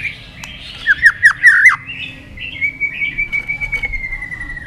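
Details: White-rumped shama, tail flicking while singing in competition with a long forest-style song: a run of five quick hooked whistles, then a single long, steady, clear whistle held for about two seconds.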